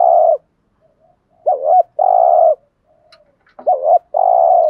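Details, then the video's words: Gù thúc urging coo of a spotted dove, played to lure wild doves: deep hollow coos with a short tremulous doubled note leading into a steady drawn-out hoot, repeated in a clean quiet setting. "tieng chim cu gáy bài bản gù thúc bài bản, cu gáy giọng hay mở lên bổi gáy gù mỏi cổ"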